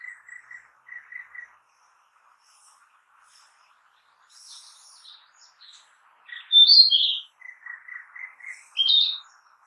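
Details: Song of a Narcissus flycatcher in the forest: short paired chirps early, a quiet high buzzy passage, then loud rich whistled notes, a run of brief chirps and a final bright phrase.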